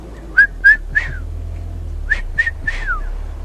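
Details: A returning migrant Red-chested Cuckoo calls somewhere close by in thick bush at Rietspruit Game Reserve, Lowveld, South Africa, on a November sunset drive: two sets of three loud whistled notes, the last of each set dropping in pitch, over vehicle engine rumble.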